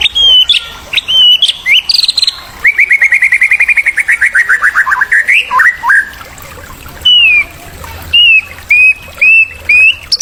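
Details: White-rumped shama song used as a model to stimulate young birds: loud varied phrases mixing clear whistles, a long run of rapid buzzy trilled notes that rise and fall, then spaced bright whistled notes repeated.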